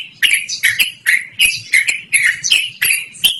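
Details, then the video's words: Loud, clear song of a yellow-vented bulbul, kept up at length and meant for bird luring or master tutoring; punchy chirped phrases repeating roughly every third of a second with crisp clicking attacks, no other sounds. "BURUNG TRUCUKAN GACORR NGEROL DURASI PANJANG"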